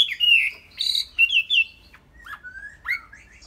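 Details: Chinese hwamei kept as a caged songbird in Vietnam gives a few clear slurred whistles and a short buzzy note, then softer falling and rising whistles separated by gaps.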